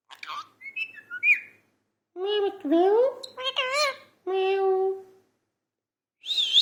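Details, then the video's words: Talking parrot giving a varied run of sounds: short high whistles and chirps, then lower warbling harmonic notes that bend up and down, a steady drawn-out mew-like note, and a final high squeak, with brief silences between. "parrot talking 🐦. talking parrot"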